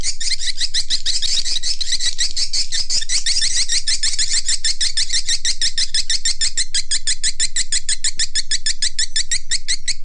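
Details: Lure call used to attract swiftlets: a steady, unbroken run of rapid, high clicking chirps repeated evenly for ten seconds, more intense at the start.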